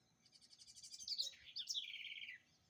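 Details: Song of a house wren, called garrincha or roxinol, a bird said to sing distinctively: one phrase of fast high repeated notes sliding into sharp accents and a lower, steadily falling buzzy trill.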